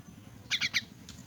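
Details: Orphaned, crippled myna being fed, giving three quick harsh, buzzy squawks in a row, then a faint trailing note over a low background hum.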